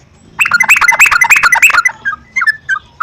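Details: Trucukan lure recording to encourage singing: after a silent start, a rushed chattering burst of sharp whistled notes from the Sooty-headed bulbul, then a few scattered softer chirps.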